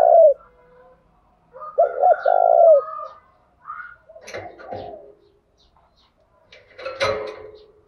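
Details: Morning cooing of a decoy spotted dove meant to provoke wild males: one full phrase of two short coos and a long falling coo, after a cut-off coo, followed by clattering rustles and faint bird chatter.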